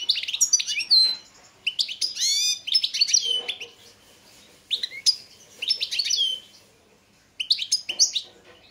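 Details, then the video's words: European goldfinch of the Balkan form, Carduelis carduelis balcanica, singing in a 2022 world championship competition recording: bursts of rapid liquid twitters, sharp rising notes and buzzy trills in phrases split by short silences, no other sounds. "Pesma štiglića 003/22 World Championship in Goldfinch Song"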